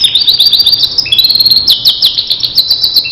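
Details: Starblue canary in a master recording used to teach other canaries, delivering fast, bright trills that shift abruptly between pitch levels with no pause.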